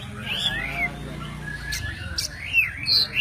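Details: Oriental magpie-robin of the white-breasted kacer poci type, isian alasan song meant as a training master: sweet wavering whistles sliding up and down, a couple of sharp clicks between phrases, low background hum.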